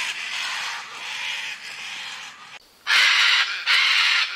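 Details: Scarlet macaw flight call: a drawn-out, rough, slightly fainter screeching stretch, a brief pause, then two loud harsh squawks in quick succession.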